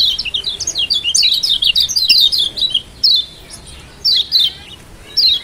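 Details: Kecial kuning, the Lombok mountain white-eye, in a rapid high twittering song of tumbling up-and-down notes, then slowing into separate sharp descending chirps. Recorded as a 'ciak' stimulus to get a silent bird singing.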